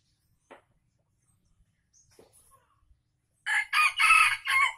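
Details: After near silence with a few faint ticks, an Aceh junglefowl bursts into a rasping crow of four quick harsh pulses. The recording serves as a lure for wild birds.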